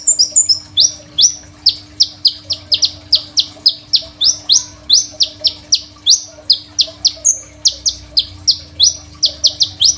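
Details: Crimson sunbird singing actively with a rich, varied song, recorded on an Oppo A37f phone and meant as a master song for tutoring young birds: rapid series of sharp, high, downslurred chirps, several per second, with one brief buzzy note near the start.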